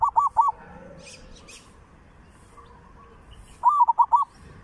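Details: Zebra dove song meant as a lure, in the three southern provinces style: rapid trilled coo bursts at the start and end, with faint high chirps from other birds between.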